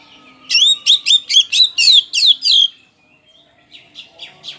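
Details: Loud lure song of an oriental magpie-robin, kacer poci type, meant to draw other birds into singing: seven quick ringing downslurred phrases, a pause, then softer buzzy notes.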